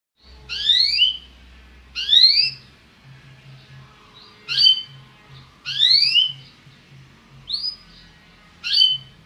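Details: Belgian canary singing, its song used to stimulate other birds: short separate phrases of fast high downward-sweeping notes, each about half a second long, coming roughly every one and a half seconds with quiet gaps between.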